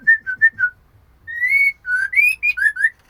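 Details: Female Oriental magpie-robin calling to the male: four short, clear whistled notes in quick succession, then a pause, then longer whistles that rise and slur, some with thin high overtones.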